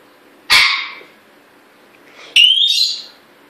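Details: A pet African grey parrot, bought only the day before and kept in a cage, suddenly starts making sounds while people talk nearby: a harsh, bark-like squawk, then after a pause a sharp click leading into a rising, whistled note.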